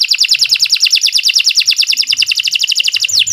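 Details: Canary song used as a master for training: a steady, very rapid rolling trill of repeated short notes, about twelve per second, ending with a single sweeping slur.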